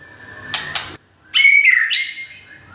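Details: White-rumped shama from Thung Song, Thailand, newly moved and finishing a molt, feathers nearly regrown. It gives a short burst of sharp clicks, then a high pure whistle and a loud sweeping, warbled phrase that slides downward.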